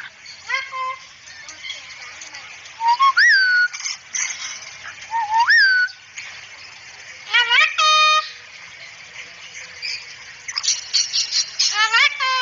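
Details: Cockatoo used as training audio for other birds, talking and saying "assalamualaikum". Harsh, strongly harmonic speech-like syllables alternate with sharp upslurred whistles and quick buzzy stacked bursts, recurring irregularly through the recording.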